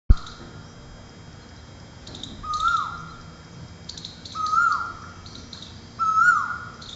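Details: Cuckoo calling at a window in Ahmedabad early in the morning, just as the rainy season begins after summer heat: three loud, clear whistled notes, each holding steady then sliding down, about every 1.7 seconds, with faint higher chirps between.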